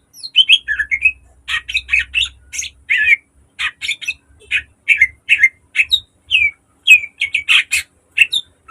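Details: Green leafbird in a cage, its song used to lure and train other caged birds: quick strings of sharp whistled notes and slurred chirps, interspersed with scratchy buzzy bursts, delivered nearly continuously with brief pauses.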